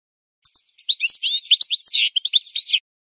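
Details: Goldfinch singing on a training recording for birds: a dense, unbroken stream of quick, liquid twitters and chirps lasting over two seconds, high-pitched and bright, against a clean, silent background.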